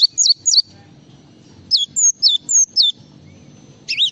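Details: Java sparrow in full isian song, clear, piercing whistled notes sliding downward in quick series, the final one a twisting loop-shaped phrase.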